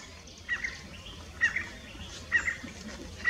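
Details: Common iora hopping through scrub in Tamil Nadu, India, giving short, clipped mid-pitched notes, often doubled, repeated about once a second against a low rustling background.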